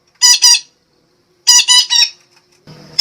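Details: Red-breasted parakeet from Sumatra, recorded as a lure call: loud, raspy squawks in a pair and then a rapid run of three, with a brief low rumble at the end.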